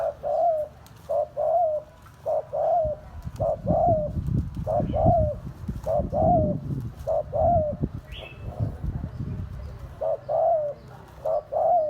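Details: Steady cooing of a spotted dove: about ten low two-part coos in rhythmic succession, each a brief note followed by a fuller, longer hoot, over a low rumbling background and one short high chirp.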